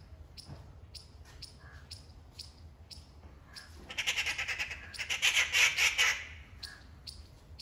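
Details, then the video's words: A Rufous treepie gives a loud burst of harsh, rattling chatter over soft, high ticking notes repeated about twice a second. These loud calls easily grab attention, and the bird is described as friendly and curious. "Interesting loud Calls of Rufous Treepie"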